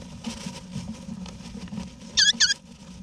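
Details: Wild eastern rosellas in an Australian backyard nesting box in November 2018, parents together with their chicks; two loud, high, harmonic chevron-shaped calls come in quick succession near the end over a low background rumble.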